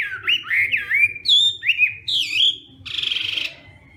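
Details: Hwamei singing at morning training, a run of looping upslurred whistles, each about half a second, ending in a harsh rasping trill.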